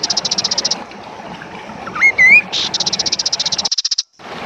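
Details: Song of the kaso kaso bird, used to train songbirds and to provoke others to sing: a short, high, buzzy pulsed trill gives way to rising whistled slurs, then another fast buzzing run that stops abruptly, with faint noise after.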